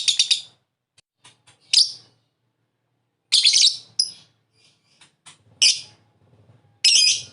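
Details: Prompt calls of a lovebird meant to make another lovebird ngekek: loud, rasping high chirps given singly or in pairs, separated by pauses of up to a second and a half.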